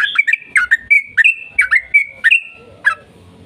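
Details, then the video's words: Sooty-headed bulbul singing a long rapid 'ropel panjang' song, used as a lure to set other bulbuls singing: quick bubbly whistled notes with sliding upward and downward inflections, about ten in under three seconds, with one sustained note near the end. "PANCINGAN TRUCUKAN AGAR BUNYI burung TRUCUKAN GACOR ropel panjang"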